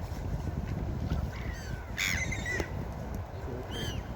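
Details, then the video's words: Gulls on a beach give a loud, drawn-out, slightly falling squeal in the middle and a shorter cry at the end, over constant surf roar. "4k Seagull Beach Sound Effect| Seagull sounds for Sleeping and Deep relaxation| Seagulls Sounds"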